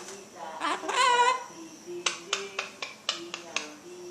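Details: A cockatoo in Indonesia gives a brief burst of human-like talking, then a run of sharp clicks or taps over a faint, steady low hum.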